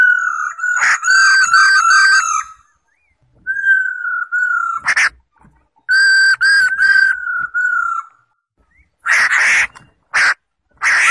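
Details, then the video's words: Black-throated laughingthrush duet of male song and female calls for rousing kept birds: rich level whistles with stacked overtones, separated by pauses and punctuated by short harsh noisy bursts. "TIẾNG KHƯỚU TRỐNG HÓT + MÁI RÒ KÍCH BỔI CĂNG LỬA NHẤT"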